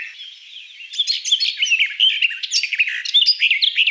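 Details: Garden Warbler (Sylvia borin) singing: a fast, rich warbling run of varied chirps and short slurred notes, high-pitched and continuous, starting softly then louder from about one second, with no other clear sounds.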